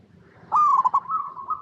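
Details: Local Indonesian zebra dove, recorded in its natural habitat, singing as a lure to set other zebra doves singing: a short burst of steady, slightly wavering coos with pulsed breaks after a quiet start.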